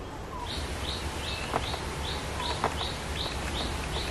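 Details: Scarlet-backed flowerpecker while pairing and building a nest: a series of short, high, arched notes repeated about twice a second over steady background noise, with occasional lower soft sounds.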